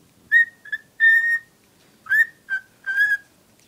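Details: Cockatiel kept as a pet, in love with a cuddly toy, gives six bright whistles, the third long and level, the fifth dipping lower, over a faint low background murmur.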